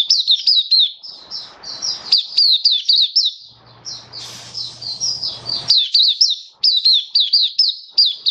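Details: Caged Oriental white-eye in full song: fast, high-pitched chittering phrases of thin, wavering notes delivered almost without break, about four notes a second, with a short low hum and rustle midway.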